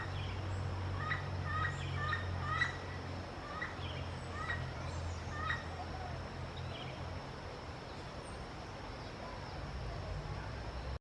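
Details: Yellow-fronted parrot calling to communicate with its peers: a run of short, clipped, harmonic squawks, roughly two per second, through the first six seconds, then fading out, over a steady low rumble and background hiss.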